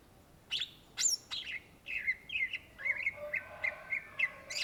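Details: Greater green leafbird, called cucak ijo in Indonesia, singing in a lively, energetic style: a run of sharp chirps followed by a string of clear whistled notes, repeated about every half second, with a faint lower harmonic line underneath.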